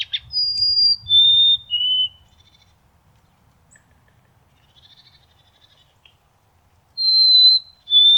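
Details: Singing White-throated sparrow from North America: three descending pure whistles open the recording, then about five seconds of quiet, then two more long whistles at the end, the second lower than the first.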